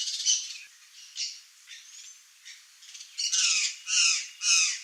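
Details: Wild curl-crested jay in Brazil's open country: scattered soft squawks at first, then three loud harsh rasping calls at the end, each about half a second apart.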